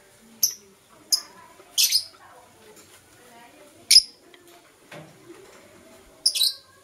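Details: Pet lovebirds, Blue Opaline and Euwing Opaline, kissing in the morning; isolated piercing chirps about once a second, some doubled, separated by quiet gaps with faint low murmuring notes.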